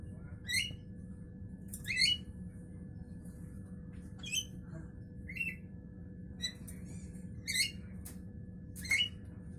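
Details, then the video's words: Morning calls of a Javan myna: a run of short, harsh, nasal squawks about one to one and a half seconds apart, each with a brief upward inflection, above a constant low electrical hum. "Burung jalak kebo pagi Hari"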